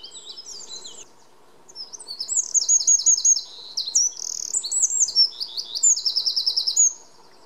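A Eurasian wren sings a loud, rapid torrent of high trills and sharp notes, ending in a fast rattling trill, over a faint low background hum.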